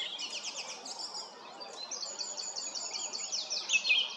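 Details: Song thrush at Stodmarsh Nature Reserve, Kent, UK, sings bright, high, chattering phrases running on without pause in the background while a little owl falls asleep, over soft hiss.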